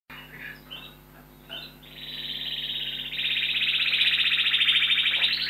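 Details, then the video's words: Domestic canary, one of a few kept indoors in a study of an apartment, singing: brief high chirps and twitters, then a long rapid rolling trill starting at two seconds that grows louder and slightly rises in pitch, with faint steady room hum. "Kanári & madárdal a dolgozószobában | Singing bird in the study"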